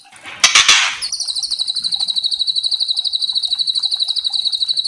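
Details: White-rumped shama in kretekan style, a rattle used to excite other shamas: a harsh broadband burst opens, followed by a long even run of quick, high, metallic pulses.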